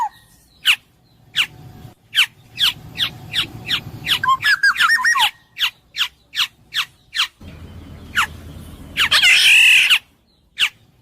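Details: Black-naped oriole, locally kepodang emas, in a long sequence of harsh nasal down-slurred notes about three per second, a brief warbling whistled phrase, and one loud rasping squawk late on.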